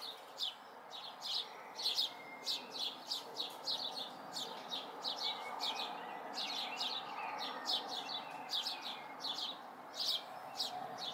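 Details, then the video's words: Young house sparrows recorded in May 2020 give bursts of loud, rapid chirps, a brief pause mid-way, then another busy run of calls, with soft background hum. "House Sparrow Fledglings"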